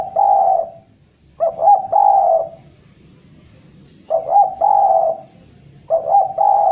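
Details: Javanese spotted dove calling persistently to a rival: three cooing phrases, each a few quick, throaty notes run into a longer, level, hoarse coo, with short pauses between phrases; low background rumble.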